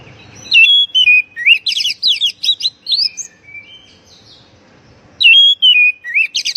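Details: Oriental magpie-robin lure song for stressed birds gone silent: whistled slides leading into a fast volley of buzzy rising chirps, a pause with soft notes, then the phrase starting again, over faint background hum.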